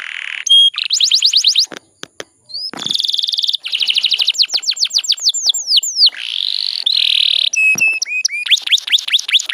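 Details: Female canary in breeding condition, used in Indonesia as a lure to provoke males into singing: fast buzzy trills of rapid downslurred notes alternate with rolling high whistles and a brief drawn-out churr, bright and continuous.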